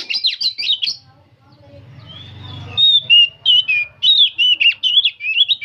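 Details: Old oriental magpie-robin singing continuously: quick chattering notes at the start, then a series of clear, slurred whistles repeated about every half second, with a low humming sound in the middle.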